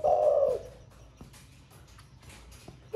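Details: Spotted dove with a 'thổ pha' style voice, said to coo all day: a single low, soft, hollow cooing phrase at the start, then quiet with faint knocks and a clatter, and another coo just beginning at the end.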